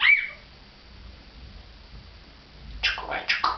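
An African grey parrot gives a brief whistle, then after a pause two or three soft, hoarse, bark-like yaps in quick succession. Indoors and otherwise quiet.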